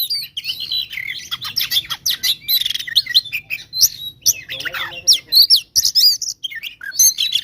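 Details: Oriental magpie-robin pouring out an aggressive gacor fighting song used as a lure to anger rivals: unbroken stream of high chirps, buzzy rasps, rising and falling whistles and fast trills.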